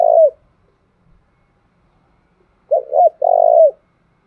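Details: Spotted dove from Đồng Nai, Vietnam, cooing to provoke and train decoy birds: a single low coo, a long pause, then a throaty two-note coo and a drawn-out rolling coo with a falling end.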